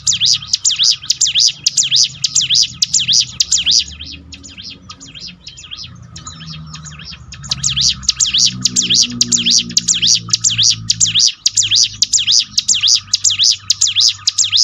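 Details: Bar-winged prinia song for training a bird to sing at its peak: long runs of high, sharp, V-shaped chirps repeated quickly and evenly, broken by a few seconds of quieter murmuring, low rumbling and a faint whine.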